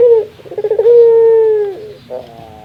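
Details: A puter, or Barbary dove, laughing: rapid chuckling pulses merge into one drawn-out, steady hoot that slowly falls in pitch and then stops, followed by a softer short note.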